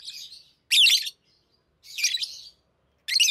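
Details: Pet lovebirds uttering three loud, harsh, grating screeches about a second apart, each a short noisy burst, after a softer chatter at the start.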